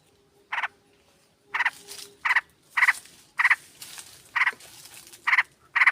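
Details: Sooty-headed bulbul, a female calling a male, used as a lure: harsh, buzzy stuttered bursts that come faster as the clip goes on, with some overlapping chatter between them.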